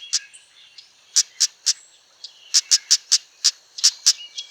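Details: Female Amur stonechat, a non-breeding winter visitor, calling around rice fields in Prachuap, Thailand: sharp, clicking tick notes, singly and in quick runs of three or four, about fifteen in all, with faint high twittering behind.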